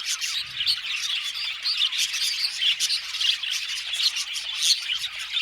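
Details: Aviary budgies, a whole colony, keep up a continuous high chatter of squawky chirps and fast warbling twitters, many birds calling at once with brief louder bursts rising above the steady din.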